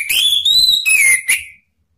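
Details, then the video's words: Male orange-headed thrush answering spontaneously with open song, used to provoke other birds to sing; a loud sweet whistle rising slowly, then a falling slurred note and a short final chirp. "ANIS MERAH JANTAN SPONTAN ikut NYAUT NGEPLONG"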